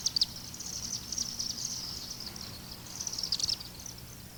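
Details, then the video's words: A Chimney Swift gives a dry, high, non-musical chittering twitter that stays at nearly the same pitch, with brief louder bursts at the start and near the end. "Note how the chimney swift's non-musical call varies little in pitch."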